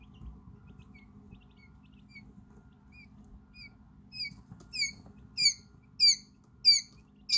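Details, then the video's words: Quail chicks about five hours old in a brooder, exploring; faint scattered high peeps build into loud, clear, downward-sweeping cheeps repeated roughly every half second from one chick finding its voice. "Help quail hatch with hours old chick sounds"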